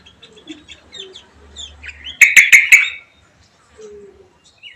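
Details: Songbird kept at home, placed to keep company with a Javan white-eye; burst of four loud harsh chattering notes in the middle, with softer varied twittering before and a faint low hum early on.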